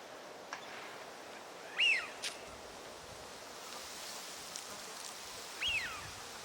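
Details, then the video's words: Eurasian wigeon (Mareca penelope), a winter visitor, on a park pond at Junsai-ike green space, Chiba, Japan, March 2025, gives two clear, whistled 'wheeoo' calls, rising then falling, about four seconds apart, over a steady background hiss. "ヒドリガモ鳴き声 (Mareca penelope) - カモの鳴き声 / Eurasian Wigeon Sounds"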